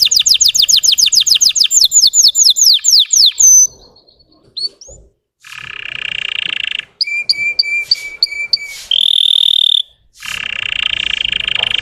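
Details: Canary of the Russian type giving a lure song to provoke untrained birds: fast slurred trills, scattered chips and a pause, then buzzy harsh rolls, ringing repeated notes and a bright whistled tour.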